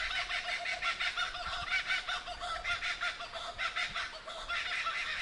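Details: Kookaburras in the Victorian bush give a loud laughing chorus, with harsh cackling notes tumbling over each other about once a second and no pauses.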